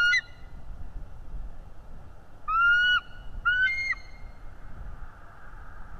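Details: Nest-cam bald eagle chasing a stranger eagle from its territory: a short clipped whistle, then after a gap two louder, smooth, rising piping notes close together, set against constant low background noise.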